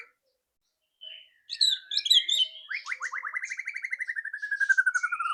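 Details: White-rumped shama giving the loud ketrekan used to prompt quick singing: a jumble of high, scratchy notes gives way to a long, fast rattle of about four notes a second that slowly drops in pitch.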